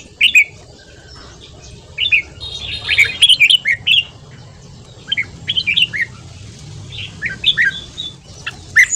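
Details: Morning 'ché' singing by a red-whiskered bulbul, meant to train voices and get freshly caught birds singing along; lively, rapid runs of sweet whistled and chattering notes come in several bursts, with brief pauses between.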